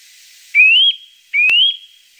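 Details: Eurasian nuthatch lure call: a pair of bright, upslurred whistles, each climbing smoothly before holding steady, spaced under a second apart. A sharp click falls within the second whistle.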